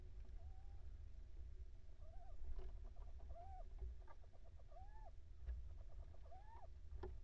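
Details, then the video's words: Little owls, a mating pair, calling: a series of clear, mid-pitched, rising-then-falling mewing notes, about five repeated at roughly one-second intervals, over low background rumble. "Paring steenuilen"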